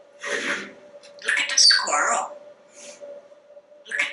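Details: Talkative male African Grey Parrot kept at home in Texas, hatched 1997, speaking indoors in an office: a few raspy, speech-like syllables with a brief high whistle in the middle, spaced by short pauses, and a faint steady electrical hum.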